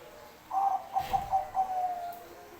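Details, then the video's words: Bangkok-type zebra dove in full song, giving a gentle trilled coo phrase of about five linked notes over two seconds, with a brief soft rustle partway through. "perkutut Bangkok manggung gacor"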